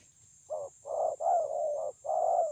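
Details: Spotted dove, 9 June 2020: a run of drawn-out, throaty, rolling coos joined almost without gaps, low and mellow, with a steady high-pitched hiss behind.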